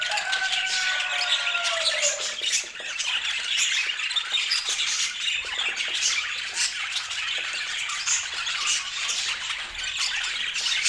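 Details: Colourful budgerigars kept as pets fill the air with continuous busy chirping, opening with a clear falling whistled note over the dense high twittering.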